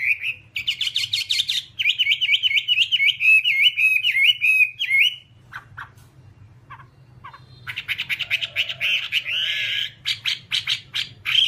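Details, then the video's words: Whambie song from a one-hour nonstop tutor recording used to train caged birds: loud, rapid run of whistled, upslurred notes repeated about three per second, a short pause with scattered chips, then dense buzzy chattering phrases. "Masteran Whambie nonstop 1 jam"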